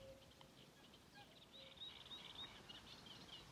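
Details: A sedge warbler singing on 12 June 2023 at Mingen, Njurunda: a fast, scratchy chatter of mixed harsh and sweet notes, rather distant, over a low background hiss, with a common cuckoo audible in the background.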